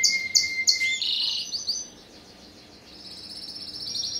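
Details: A 2015 first-generation hybrid of a Spanish Timbrado and a wild canary, bred by its keeper and ringed ST16, sings a few sharp high notes and a buzzy phrase, pauses briefly, then builds a thin, fast, high trill.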